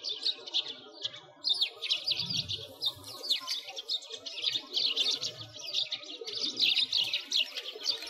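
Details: A winter flock of sparrows at a frozen lake in a Moscow park, Russia, keeps up dense, overlapping high chirping for several seconds with only brief pauses.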